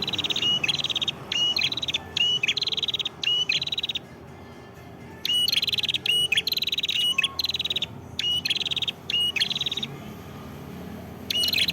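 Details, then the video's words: Prenjak kepala merah prinia recorded in Kedungprahu village, Padas, Ngawi, East Java, repeating lively phrases: a short rising whistle followed by a rapid buzzy trill, about a dozen phrases with brief pauses between bursts. "Suara Prenjak Kepala Merah Gacor"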